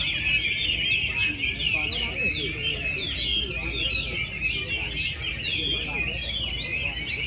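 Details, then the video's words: At a Mỹ Đình hwamei singing contest on 19 July 2020, a Chinese hwamei pours out lively warbling: quick rising and falling whistles and chattering trills without pause, while a man talks steadily in the foreground. "HỌA MI HÓT"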